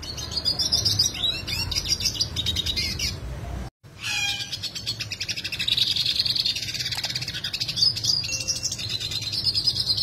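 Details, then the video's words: A yellow siskin sings a fast, high, continuous twittering song with sharp rolling trills and buzzy chatter, broken by a brief silent gap before it resumes. "Masteran Roll Tajam Yellow Siskin Gacor (Suara Asli)"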